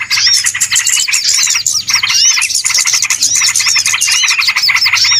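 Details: Noisy mass of small birds calling together, played as a lure for trapping birds; thick high chirping and twittering layered with looping whistled notes, continuous without breaks.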